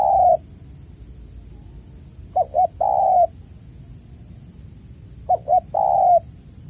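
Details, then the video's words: Spotted dove lure call for caged doves that are not cooing. The clip opens at the end of a long coo, then two full phrases follow, each with two short notes and a sustained level coo, over a faint high whine. "pancingan burung tekukur gacor"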